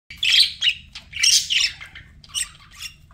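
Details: Budgerigars, pet birds, chirping in a series of harsh, buzzy warbles and squawks between two and eight kilohertz, coming in irregular bursts with brief pauses, and a faint low hum underneath.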